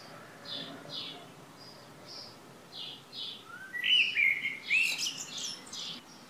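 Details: Bird song on the morning of 3 June 2015 in Šilo, Krk island, Croatia: a run of short high chirps repeated several times a second, then a louder, tumbling warbled phrase with upward slides.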